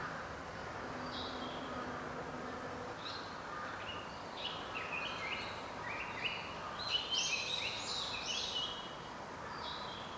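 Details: Japanese Paradise Flycatcher heard but not seen near a house: scattered whistled notes, then two quick runs of stepped, descending phrases in the second half, against steady outdoor background noise.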